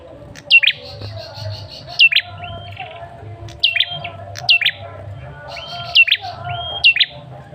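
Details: Male tailorbird lure call for a response: sharp high whistled notes with a steep drop, each followed by a short flat tone, given in pairs about every one to two seconds.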